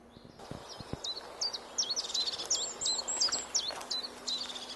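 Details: European crested tit calling: a run of thin high notes, some sharp descending ticks and some short trilled bursts, becoming denser in the middle and then thinning out, over a low steady background hum.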